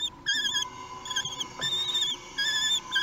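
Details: Three-week-old common kestrel chicks at a nest during a feeding, 8 June 2021, Théding, France: begging with shrill, wavering screeches in half-second bursts over a steady high hum.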